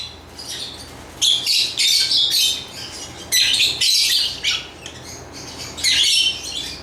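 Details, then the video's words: Lovebird chattering in three loud clusters of harsh, high squeaks and chirps, separated by quiet pauses of about a second. "Lovebird Chirping Sounds"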